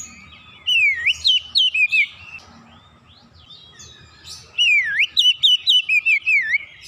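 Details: White-rumped shama singing energetically after a lure: two bursts of loud, clear whistles with rapid zigzag up-and-down notes repeated quickly, a pause between, steady low hum behind.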